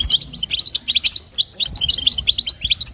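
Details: Female European goldfinch calling to stimulate a male, giving quick liquid tweets and buzzy twitters in fast succession, several notes per half second, bright and high, over a faint low hum.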